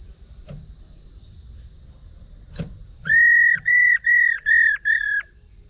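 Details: Call of a female Chinese hwamei, used to excite males into song. After scattered soft taps, five clear level whistles follow in quick even succession, each briefly held and dropping slightly at its close.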